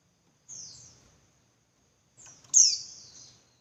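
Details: Female Javan white-eye giving a lure call to excite males and make them sing harder: a soft falling high note, a gap of over a second, then a short lead-in and a loud, sharp, descending whistle-like call that fades out.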